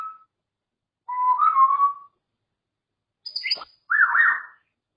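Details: Pet grey parrot offers a short whistle, a wavering level whistled phrase, then a sharp click-like note and a hoarse, broad squawk.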